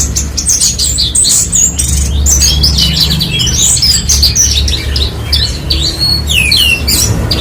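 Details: Branjangan, Horsfield's bush lark, producing a dense, fast medley of high chirps and swooping whistles against a constant low droning background.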